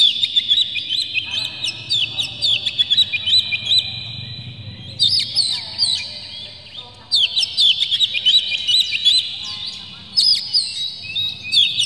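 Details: Oriental magpie-robin in an emotional display with spread tail, singing full varied material to rouse other magpie-robins. Three long phrases of rapid twittering whistles are separated by brief pauses, over a soft low rumble.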